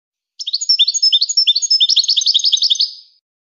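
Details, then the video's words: Singing European goldfinch giving a quick, tinkling series of high chirps, roughly three notes per second, rising in energy then dying away with reverberation. "Serenading Goldfinches"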